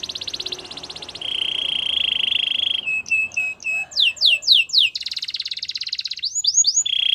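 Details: Canary singing for training over a steady background hiss: high buzzy trill, a long low rolling tour, brief chips, then quick descending slurred whistles and a return to buzzy trills.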